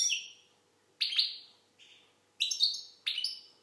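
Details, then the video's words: An Algerian goldfinch sings clipped, high twittering phrases with a quieter lower note between them. The bursts are spaced about a second apart, with bright buzzy notes and echoing tails. "Chardonneret algérienحسون. مقنين"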